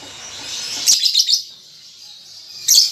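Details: Newly weaned young lovebird trying out ngetik ngekek chattering: a faint hiss, then a short cluster of shrill, grating chirps, a pause, and one more harsh note.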